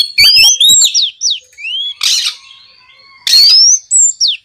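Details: Kacer, the Oriental magpie-robin, in 'gacor ngeplong' song meant to coax other magpie-robins into singing: rising whistled phrases, downslurred notes and short harsh bursts separated by brief pauses.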